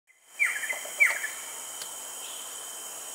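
Rufous-collared kingfisher giving two sharp, high, slightly falling notes about half a second apart, over a steady whine of insects.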